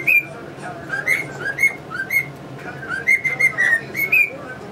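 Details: Male cockatiel performing whistled tunes for his budgie companions; sliding, bright whistles in two short phrases with a quiet gap, light budgie chatter.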